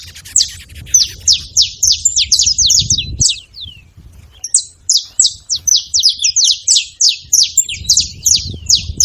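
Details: A group of saffron finches calling at once, long runs of rapid, high, sharp chips and short downslurs repeated about three times a second, pausing briefly midway, over faint low rumble.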